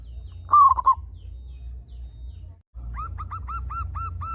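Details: Local zebra dove used as a calling lure for its own kind: one rolling four-note coo phrase, a pause, then a fast run of short arched notes repeated evenly, over a constant low hum.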